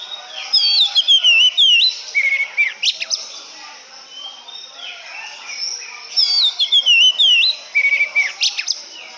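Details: Oriental magpie-robin song in two bursts: varied high whistled phrases with quick swoops, a steady held note and sharp clicks, each burst lasting about two seconds, separated by a quieter gap.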